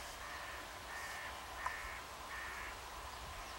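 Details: A pair of common cranes that summered near Banneick in the Wendland, Lüchow-Dannenberg, northern Germany, trumpets on 17 September 2013 to migrating cranes flying over toward winter quarters. The calls are loud, rolling, bugle-like bursts, four spaced about every second, over a low rumble of wind.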